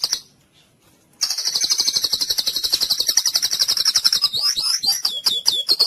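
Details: White-rumped shama song played as therapy for a silent, listless bird: after a quiet start, a long rapid trill of sharp high notes, ending in twisting whistled flourishes.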